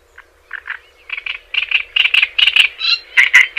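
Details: Java sparrow chattering song used to stimulate and train other birds: quiet clucks build into a quickening run of loud, evenly spaced, bell-like pulsed notes, about two or three per half second, with a faint steady hum.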